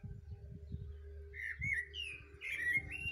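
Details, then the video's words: Thrush singing in the morning: whistled, slurred phrases around the middle of the clip, some rising, others sliding down, over a steady low rumble of wind or handling noise. "Пение Дрозда"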